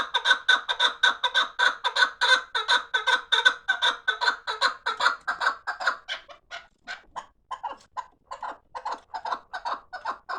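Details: Rapid regular chuk notes from a fighting chukar partridge run for six seconds, then break into looser, spaced clucks.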